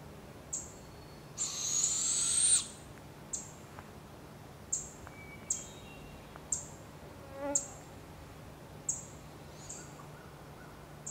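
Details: Barred owls, a mother with her young in Canada, giving short, harsh, hissing screeches about every second, with one longer rising rasp near the start, over a quiet background.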